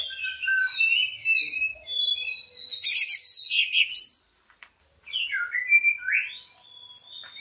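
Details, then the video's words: Greater green leafbird song used as a lure to get other leafbirds singing: fluid whistled phrases and rapid chattering notes, a short pause, then further rising and falling whistles. "Pancingan Cucak Ijo Sangat Ampuh Untuk Menaikan Mental Ijo Lain Agar Mau Jamtrok Bongkar Isian"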